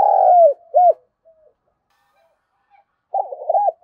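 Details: Spotted dove giving a provoking coo to lure wild doves into fighting: a long sliding coo, a short arched hoot, near silence, then a quavering rolling phrase beginning again.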